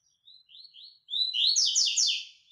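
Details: Training song of a white-throated seedeater, locally coleiro baiano: a few soft rising whistled notes lead into a loud, dense, buzzy trill of rapid chirped syllables lasting about a second.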